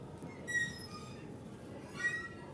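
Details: Sparrows calling around 7:47 pm on 26 April 2024 after being caught in a basket trap hung from a hook: two short, squeaky chirps about a second and a half apart, over a low background hum.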